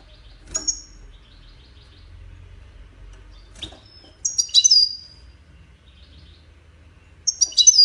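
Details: European goldfinch singing in the Widani style, a recording used to teach chicks: short separated bursts of high, tinkling twitters, a single note near the start, another burst mid-clip and one at the end, with quiet gaps between.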